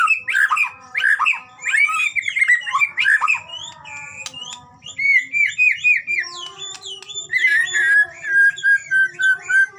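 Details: White-rumped shama, Medan type, in a training recording meant to get a shama singing: rich loud whistled phrases, sliding and warbling, delivered in fast bursts with brief pauses, later a run of repeated looping notes near the end.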